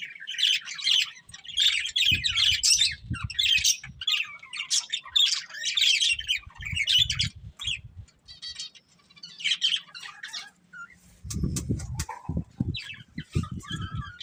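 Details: Two budgerigars, a breeding pair, chattering in repeated bursts of buzzy chirps and squawks for about eight seconds, then sparser notes, with low thumping and rustling knocks near the end.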